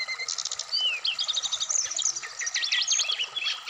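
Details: Dense, varied Black-throated laughingthrush song from an Indonesian bird-keeping therapy track for wikplong singing. Rapid buzzy trills and zigzag whistled notes pour out almost without pause.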